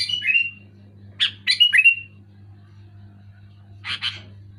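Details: Loud, clear Sooty-headed bulbul: a descending slurred phrase, a cluster of bubbly chirps with a falling whistle, then a harsh paired note after a pause, low hum throughout.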